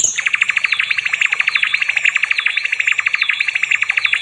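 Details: Nightingale, recorded as training song for other songbirds: a loud, mid-pitched rattle of rapid, evenly repeated notes with thin whistled loops above, sustained for several seconds.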